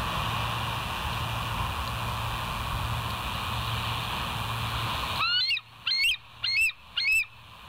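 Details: Wild bald eagle at the West End nest, recorded 22 July 2023 at 05:06; after a steady background hum, four high, thin piping notes ring out in quick succession, each with a sharp downward-slurred chirp.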